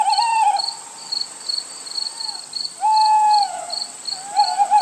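Little Owl gives three drawn-out, mellow hooting notes, each under a second, slightly falling at the end. Crickets chirp in a steady pulsing background.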